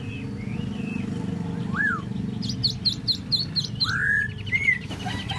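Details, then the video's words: Tieu mi bird offering sparse slurred whistles between a short series of sharp high notes, set against a steady low rumble. "Tieu mi de ban choi solo"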